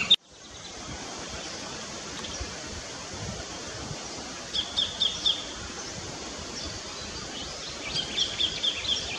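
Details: Sacred kingfisher in an Australian backyard: a sudden knock at the start, then two separate runs of four or five short, high, evenly spaced notes against a steady hiss of ambient noise.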